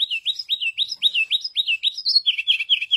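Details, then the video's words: Rhythmic song of a white canary: repeated swooping whistled notes about four per second, a brief higher flourish, then a faster lower stuttering run of notes. "تغريد رائع لكناري أبيض"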